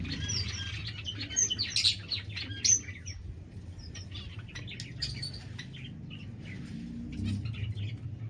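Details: Pet Bengalese finches in an aviary, kept together and active, give a busy run of short, high chirps and tweets. Some notes are sharp and clipped, some brief and buzzy, all over a steady low hum.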